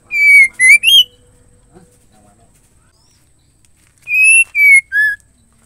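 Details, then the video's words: Calling female white-rumped shama, meant to make males sing: two sets of three strong, steady whistles, each set falling in pitch note by note, with a quiet pause between. "MURAI BETINA MEMANGGIL JANTAN AMPUH BIKIN MURAI LAIN JADI IKUT GACOR."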